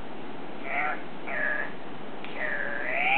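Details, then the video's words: Andean cock-of-the-rock (Rupicola peruvianus) at a lek gives three nasal, squawking calls: two brief ones, then a longer call that dips and rises, over a soft background hiss. "LECK - Andean Cock-of-the-rock- Rupicola peruvianus"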